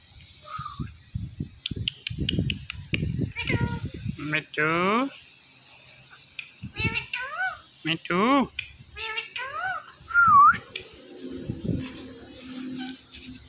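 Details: Pet Indian ringneck parakeet talking indoors: a series of nasal, harmonic speech-like phrases and short squawks, mixed with human voices, ending in a brief rising whistle.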